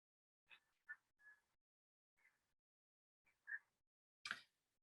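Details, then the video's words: A tui in New Zealand gives its standard song, a loose string of ringing bell-like notes and clicks with a hint of bellbird call, ending in a harsh, wheezy burst; the background is otherwise quiet. "so that is actually the standard tui sound and it has a little bit of an element of the bell bird call in there"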